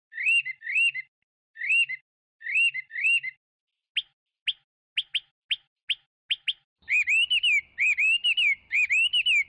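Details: Chinese hwamei giving paired rolling whistled notes with pauses, then a run of sharp, separate upward chips, then a fast stream of looping whistles.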